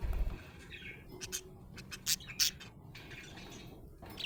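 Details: Happy budgie giving soft, scattered chirps and twitters, broken by several loud sharp clicks or taps, with a low hum underneath.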